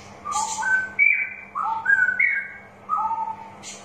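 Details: Clear straw-headed bulbul song for coaxing reluctant birds to sing: clean, separated whistled phrases, each with a step from a higher to a lower note, repeated with short gaps.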